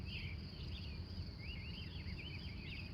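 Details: Early-morning wild bird song in Glendive, Montana, USA, recorded on location from 3:45 a.m.: a lively warbling phrase of quick rising and falling notes, with a constant high insect drone and low rumble beneath.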